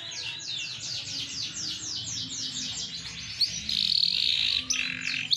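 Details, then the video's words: Large AFS canary, green bon plumage, delivering fast repeated downslurred notes in a steady trill, then a sustained bright buzzy rolling phrase, followed by further rapid notes over a low background hum. "Kenari Afs Bigsize Gacoorr dorr"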